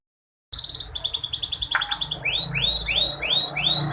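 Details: After a moment of silence, a female canary, played to coax lazy males into song, gives a buzzy high trill followed by evenly spaced, falling whistled slurs.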